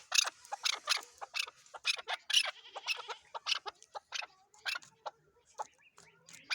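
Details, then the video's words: Chukar partridge from Pakistan giving harsh, rasping clucks in an uneven run, about two per second, with brief pauses between bursts. "chakor ki awaz zark awaz chakor voice chakor.sound"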